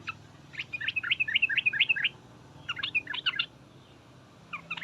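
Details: Sooty-headed bulbul chattering call, the 'ngriwek uplik uplik' style used to make other bulbuls answer: rapid bursts of sharp, clipped notes in two fast runs, then a short final burst after a pause.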